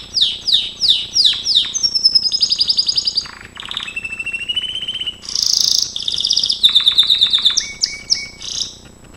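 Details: Gloster canary song used for training, a varied run of quick descending chirps, sustained whistled tones, buzzy rolls and sharp trills, changing phrase every second or so with hardly a break.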